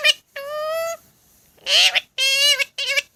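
A rose-ringed parakeet gives four nasal, rasping calls in quick bursts over about three seconds, steady in pitch and rich in overtones, recorded in a small room.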